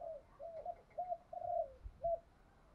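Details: Decoy spotted dove cooing to stir up wild birds. A series of short, low, hollow coo notes sounds faint and distant over a steady rumbling background noise, with one longer note near the middle.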